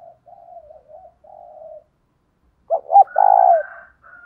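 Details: Spotted dove decoy with 'giọng thổ' voice, luring wild males. Soft low crooning, then a loud hooting phrase ending in a long coo, with a fainter higher sound over the close.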